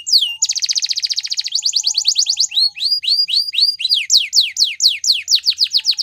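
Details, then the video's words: Gloster canary song used for training: a fast, rattling high trill of rapid repeated notes, then a run of repeated rising-and-falling whistled notes at a slower, steady pace, ending in quick descending sweeps. "Gloster Canary Singing | Canary Training Song"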